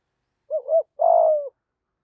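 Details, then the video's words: Single phrase from a 'giọng thổ' decoy spotted dove calling to wild doves: two quick rising hoots run together, then a long low coo that slowly falls away. "cu gáy giọng thổ gáy gọi bổi rừng & bổi nhà gáy theo"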